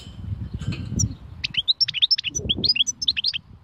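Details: European goldfinch song of the khalwi style, opening with low rumbling background noise, then a lively stream of high, liquid twitters and slurred whistles delivered rapidly for about two seconds.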